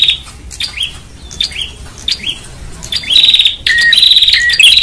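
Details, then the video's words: Noisy prinia, lure sound: several quiet slurred whistles and soft chips for three seconds, then loud rasping trilled bursts with a short lower whistled note between them. "Prenjak Ribut Terbaru 2021 | Suara Jernih Audio Keras."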